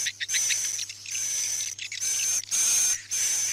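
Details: Swiftlet night lure sound, played from indoor speakers in a swiftlet house to draw birds in. Dense hissing, twittering chirp bursts broken by short gaps, with a thin steady high whistle running over them.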